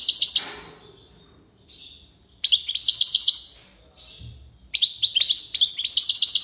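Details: European goldfinch (maknine) singing in the tiwawati style: bursts of rapid, high, tinkling twitters separated by short pauses, with a brief softer phrase between them.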